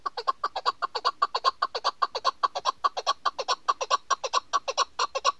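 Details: A female chukar partridge, recorded for hunting, gives a fast run of harsh, clucking chuk notes, about five per second, steady in pitch and unbroken for the whole stretch.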